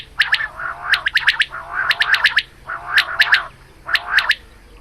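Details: Female quail calling in the morning: clusters of three or four sharp, squeaky high notes over a softer nasal murmur, each cluster about a second apart, with a steady low hum behind.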